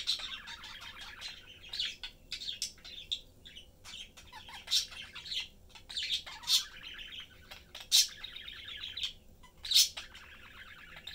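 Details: Budgerigar family chatting and having fun at feeding time: a lively run of rasping warbles, ticks and chirps with loud piercing squeals breaking in every couple of seconds.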